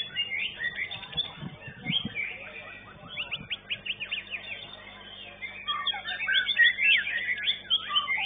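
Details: A songbird at a bird-singing contest arena gives rapid, varied song of high whistles, trills and sharp chirps. Other birds call at the same time, with low murmuring and thumps from a crowd.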